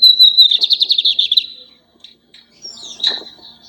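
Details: Lined seedeater kept as a pet, singing a lot: a high whistled opening slides into a fast buzzy trill of pulsed notes. A short pause follows, then a scratchy high note with a faint click.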